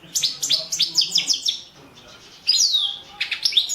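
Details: European goldfinch of the subspecies Carduelis carduelis balcanica, entered in the 2017 World Championship in Goldfinch Song, an internet competition recording: rapid high twittering trills, then a pause and a clear descending whistle followed by more chatter.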